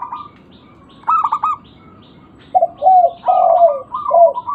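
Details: Cooing of a local zebra dove meant to prompt other birds to respond: a short stuttering trill after a pause, then a run of lower purring coos mixed with higher held notes, closing with a brief trill.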